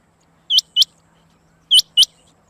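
A female rain quail gives sharp, high, rising notes in two quick pairs, each pair about a quarter second apart, over a faint low hum.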